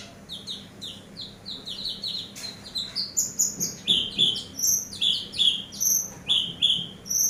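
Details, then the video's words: Eurasian tree sparrow song used as a master recording for training other birds: a steady series of short, high, sliding chirps and whistled notes, roughly one per second, growing louder and more varied over the clip. "MASTER BURUNG GEREJA"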